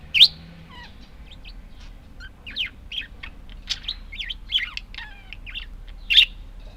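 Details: Budgies give a sharp high squeak at the start, then a run of quick warbled chirps, little slurred whistles and clicky notes, ending with another loud squeak.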